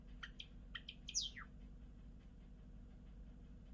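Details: Short burst of Java sparrow song: a few sharp clicks and tinny notes leading into one bright, steeply dropping whistle, then quiet background hum.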